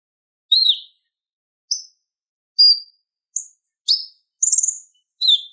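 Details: Purple-throated sunbird, used as a model for training other songbirds, giving single sharp high chips and short downslurred notes spaced roughly every half to one second, otherwise quiet.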